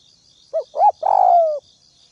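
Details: Spotted dove from the Northwest region used as a ground decoy, calling to provoke rivals: two short arched coos followed by a long, slightly descending drawn-out coo, with a steady insect trill in the background.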